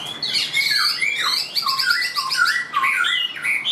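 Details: Brief burst from a tame caged Chinese hwamei: loud, dense whistled phrases with quick downward slurs repeated in a rolling series.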